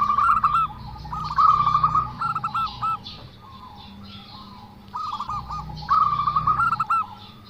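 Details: Zebra dove with an odd call, rapid chains of short gurgling coos delivered in bursts of about a second, then a pause before the next run; faint low rumble in the background.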